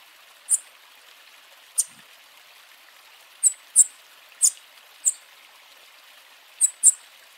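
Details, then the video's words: A bananaquit warming up its song and calls gives thin, very high, sharp chips, about nine in seven seconds at an uneven pace, over a steady hiss like rain or running water. "SIBITE OU CAMBACICA ESQUENTANDO CANTO E CHAMADO"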